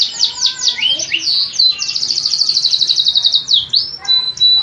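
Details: Canary song mixing dropping chirps with a long, fast, even trill, then swooping whistles and a clean sustained note to finish.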